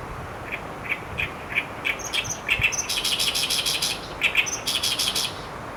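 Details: Asian brown flycatcher calls from 26 May 2015: spaced thin chirps at first, then denser runs of high twittering notes through the middle and end, with a faint low background hum.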